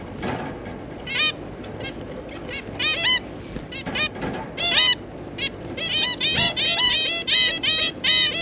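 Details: Zebra finch family of two adults and three young birds calling: scattered nasal, trumpet-like beeps that build into dense overlapping runs near the end, over faint steady background noise.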